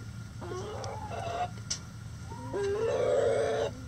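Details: Chicken with a loud egg song: two drawn-out nasal calls, the first rising and wavering, the second longer, steadier and louder, set against a constant low hum.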